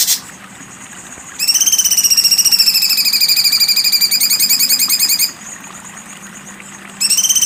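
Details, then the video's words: Sharp besetan song of a cucak cungkok: a long, strongly harmonic, buzzy trill of rapid pulses lasting about four seconds, with brief bursts before and after. "cucak cungkok besetan tajam"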